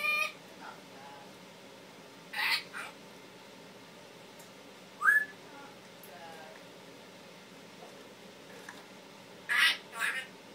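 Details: Indoor pet Timneh African grey, a male taught to talk and cough, gives scattered squawks and a short rising whistle, with quiet pauses between the bursts.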